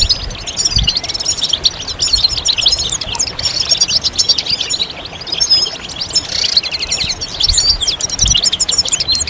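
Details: European goldfinches twittering as a group to coax males into singing and finishing their moult; a steady stream of rapid high chirps and trills, with a brief buzzy burst partway through.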